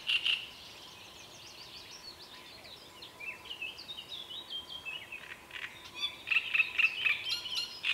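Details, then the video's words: Great reed warbler song: harsh, croaky chattering phrases, ending in a quick run of repeated grating notes, with faint high twittering behind. "Drosselrohrsänger Gesang"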